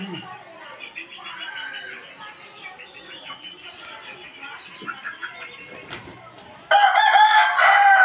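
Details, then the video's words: Aseel roosters crowing: several muffled, hoarse crows overlap in the background, then one loud, harsh crow bursts in near the end. "Aseel murgay ki azaan"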